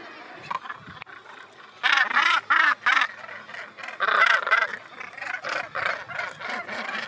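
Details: Northern gannets at their breeding colony on Helgoland's steep coast give harsh, grating croaks in loud bursts of three to four, with quieter rasping calls between them.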